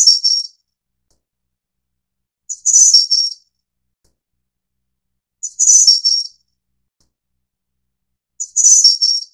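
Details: Snowy-browed flycatcher (Ficedula hyperythra innexa, Taiwan endemic subspecies) gives a thin, very high, slightly buzzy phrase under a second long, repeated every three seconds in silence.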